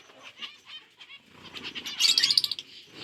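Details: Budgies eating seeds on October 30, 2023, soft twittering rising into a loud run of rapid, sharp chirps about halfway through, with rustling underneath.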